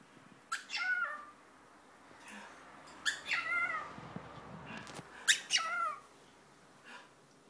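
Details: Pet cockatiel (Nymphicus hollandicus) imitates a sneeze: short bursts of a sharp click followed by a brief, falling, nasal note.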